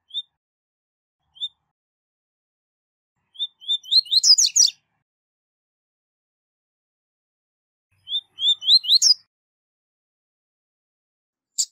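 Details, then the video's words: High-level 'tui tui zel zel' song of a double-collared seedeater, used for tutoring young birds: short high whistled notes, then a rapid rising, buzzy flourish, two phrases about four seconds apart with silence between. "Canto Tui Tui Zel Zel De Alto Nível - Canto Ótimo Para Encarte De Coleiros e Papacapim"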